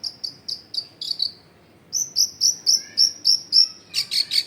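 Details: Long-tailed shrike song used as a lure for lazy shrikes, recorded in a crowded residential area: very high chirps repeated several times a second in two runs separated by a brief pause, ending in buzzy notes.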